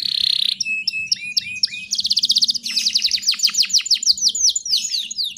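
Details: Female canary in breeding condition calling to lure males, mixed with Bar-winged Prinia filler: a buzzy opening note, then repeated down-slurred whistles, a fast high trill and rapid descending sweeps.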